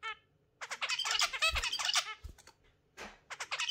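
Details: A captive exhibition zebra finch in the morning, kept with budgies, sings rapid, buzzy, nasal stacked notes in quick bursts with brief gaps; some chattering from other cage birds may mix in.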